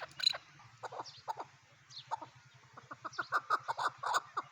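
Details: Chukar partridge calling in short, throaty clucks that start sparse and speed into a rapid, uneven chatter, over a low droning hum.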